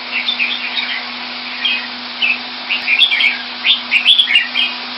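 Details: Caged red-whiskered bulbul kept in Singapore, described as coming into form, singing bright chirpy warbled phrases in short bursts roughly every half second, some notes rising and falling, over a steady low electrical hum.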